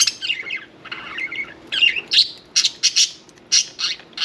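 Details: Happy pet budgerigars, parakeets, near a bath: scratchy warbled chatter turning into loud sharp clicks and squeaky chirps repeated in quick irregular bursts, indoors.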